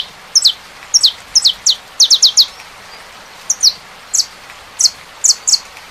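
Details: Saffron finch song with rain in the background: clusters of high, sharp downslurred chirps in quick bursts of two to four notes, separated by short pauses, over a constant rainy hiss.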